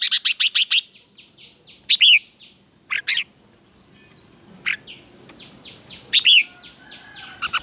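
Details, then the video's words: Red-whiskered bulbul in morning song training for fighting song: a burst of rapid sharp notes opens, then loud swooping whistled notes at intervals, with faint descending chirps from other birds behind. "Luyện chào mào hót sáng | chào mào hót đấu"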